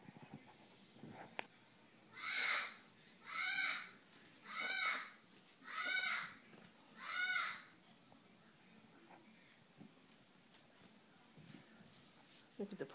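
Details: Pet macaw indoors chasing a household kitten, which runs away. Five loud, harsh, raucous squawks come about every 1.2 seconds, each similar in length, with a person scolding the bird before and after.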